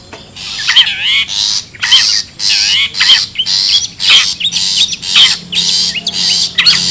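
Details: Long-tailed shrike recorded wild, a lure call for gathering birds: fast, evenly paced rasping squawks, nearly one per second, many mixed with curved whistled slurs.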